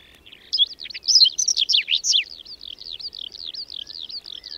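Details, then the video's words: A whinchat sings through a cold, windy May snowfall near Domzherytsy, Berezinsky Biosphere Reserve, where several dozen pairs nest: a loud run of rapid chattering, scratchy notes, followed by softer repeated twittering that fades away. "Луговой чекан в майскую вьюгу"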